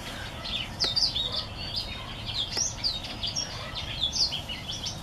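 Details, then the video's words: Mule from a green singer white tip and a Timbrado hen gives bright, high chirped notes and quick slurred whistles in short clustered bursts, against faint background noise. "Green singer white tip x Timbrado hen Mule."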